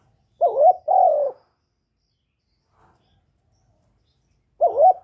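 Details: Spotted dove decoy call meant to lure and excite newly kept doves, recorded without background noise. One two-note coo, wavering then long and falling, then a quiet pause before the next phrase starts.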